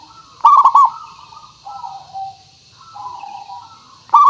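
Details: {'caption': 'Zebra dove of local stock, played as a lure to prompt other birds to sing. One sharp clustered coo phrase of rapid notes opens, then gentle trailing coos follow, and a second phrase begins at the end.'}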